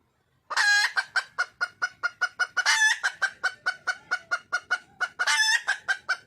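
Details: Wild red junglefowl hen calling for a male: a rapid run of sharp, clipped clucks, about four a second, broken twice by longer, harsher, ringing cackle notes, with no other sounds behind.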